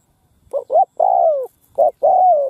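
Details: Spotted dove decoy bird cooing in a field in Vietnam, used to lure wild doves: two short coos then a long falling coo near 600–700, repeated twice in quiet surroundings.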